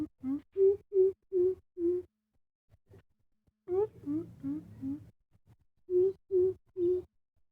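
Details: Young coucal about six months old, learning to call, described as a mysterious bird: deep, hollow hoots in three bursts of four to five notes, each under half a second apart, the middle burst lower and more wavering.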